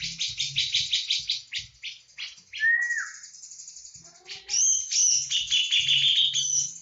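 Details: Javan cucak jenggot delivering full 'tembakan' song: fast runs of harsh chattering notes, a downslurred whistle near the middle, then dense high trills and sharp rising whistles.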